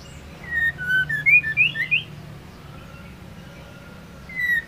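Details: Female white-rumped shama singing to stir males into song: a quick run of whistled, looping notes over about a second, then quiet, then one more drawn-out whistle.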